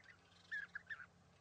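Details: Perched pair of European bee-eaters at East Leake Quarry, very sunny morning, 5 July 2017, 80 metres away; a few short, purring call notes in quick succession.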